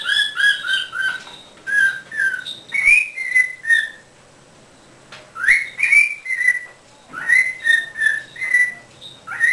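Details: Quaker parrot kept as a pet whistles long strings of bright, tonal notes, some rising sharply then falling, grouped in bursts with a few seconds' silence between them.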